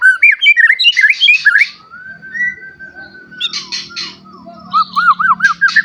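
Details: Caged white-rumped shama song meant to provoke rival shamas: quick warbled whistles and buzzy bursts, a long steady whistled note, then rippling looped whistles, with a faint low hum beneath.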